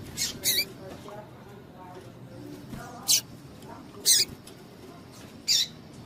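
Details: Calling female double-collared seedeater, used to stir up males for singing tournaments: five brief, bright, high-pitched chips at irregular intervals, the first two close together, over quiet background noise.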